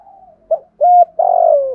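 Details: Spotted dove in the 'thổ' voice, a call for stimulating newly caught doves: a soft hum, then a brief note, a flat steady coo and a long buzzy coo that slides gently downward.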